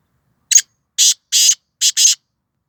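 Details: Black francolin from Sindh, Pakistan: five harsh, rasping, broadband notes in under two seconds, a short one, then two longer, a pause, then two more, against an otherwise silent background.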